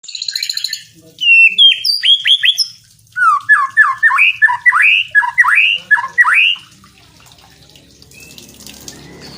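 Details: White-rumped shama song used as training material for other songbirds: a burst of scratchy high notes, then a run of about ten loud, sweeping whistled phrases, each sliding down then up, repeated in quick succession.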